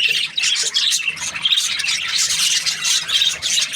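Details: Brief happy budgerigar chatter with loud squawky chirps and a few clear whistled squeaks over busy background twittering.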